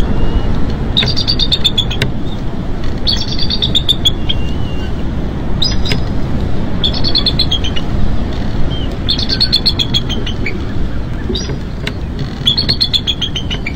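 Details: Bald eagles at a nest watched by a live cam on 20 April 2015, with mink as prey; bursts of high, thin chattering notes that slide slightly downward come about every two seconds over strong steady hiss.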